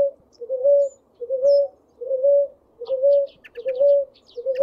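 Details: A ruddy ground dove, recorded in a small rural area of Atlantic forest in Brazil, gives soft, low, slightly rising coos, steadily about once a second. Thin, high chirps from other small birds join in partway through.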